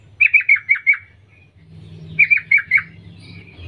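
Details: Female sooty-headed bulbul call aimed at males: five bright, downward-slurred notes in quick succession, a pause, then a matching burst of four to five notes, over a soft low hum.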